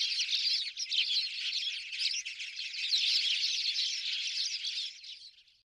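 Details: A dense, continuous chattering chorus of Spanish sparrows, recorded in Toledo, Spain, in November 2019, many overlapping chirps merging into a buzzing wash that fades out at the end.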